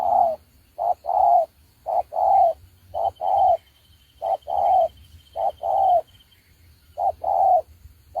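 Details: Spotted dove calling as a decoy bird for trapping, from Đồng Ngô in Vietnam: low hollow coos grouped in short phrases, each phrase of two to three notes repeated about every second, with a faint steady tone above.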